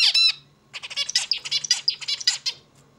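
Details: A zebra finch sings, opening with a loud nasal honk, then running into a quick string of buzzy, scratchy notes and short chirps, all high-pitched.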